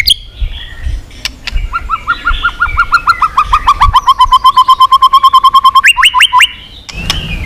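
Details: White-rumped shama in full song meant to provoke rival singing: a long run of quick, evenly spaced mid-pitched notes, about twenty-five in a row, then three sharply rising whistles and a short pause.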